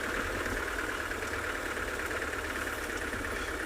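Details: Steady engine idling with broadband noise and hiss throughout, recorded during an afternoon safari drive in South Africa; no animal voices stand out.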